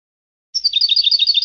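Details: European goldfinch tutoring song from an Andalusian Hunting Federation CD for teaching young birds: after half a second of silence, a quick series of bright twittering notes starts abruptly and runs to the end.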